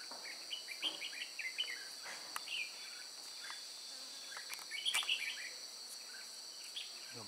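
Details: Red-whiskered bulbul song at a trapping site at Chùa Hương, 9 May 2018: scattered bursts of quick whistled and slurred notes separated by pauses, against a constant loud high insect buzz.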